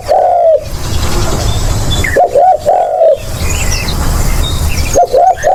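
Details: Spotted dove kept as a lure sound, giving low mellow coos: one phrase ending at the start, then two full phrases of two quick notes and a long sliding coo, with thin bird chirps in the background.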